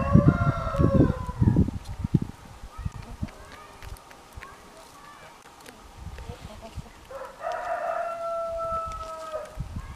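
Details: Orpington chickens kept by their owner: a drawn-out crow at the start amid loud handling thumps, then a second long, level crow near the end, with rustling outdoors.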